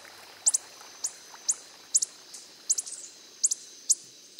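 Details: Hummingbird, the coppery-headed emerald, calling in the wild: crisp high-pitched chips, several in tight pairs, spaced unevenly about half a second apart, over a quiet steady hiss.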